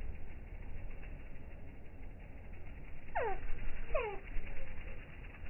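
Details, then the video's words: Slow-motion hummingbird recording with the sound slowed: two descending chirps with harmonics, less than a second apart, followed by a faint short trace, over continuous low background rumble. "Slow motion hummingbirds, the sounds are amazing and things you don't hear in normal speed!!"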